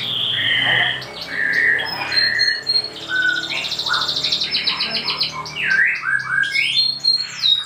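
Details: Canary masteran training song for young canaries: overlapping whistled phrases and buzzy rolls at varied pitches, dense and layered, with short chirps and trills throughout.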